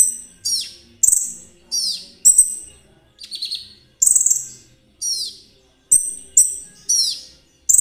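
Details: Konin song in the trotol style, aimed at prompting other birds to sing and luring ninja sunbirds: sharp high notes that sweep downward, repeated roughly every half second, with one softer buzzy phrase.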